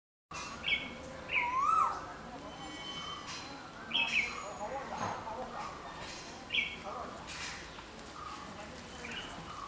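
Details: Yellow-footed green pigeon calling: a clear whistled note rising then dipping, with short higher chirps at about two-second gaps, over a steady hiss of background noise.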